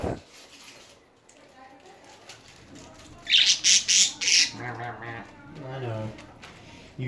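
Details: Chattering budgies give a run of four loud, rasping squawks in quick succession, followed by a person talking in the background.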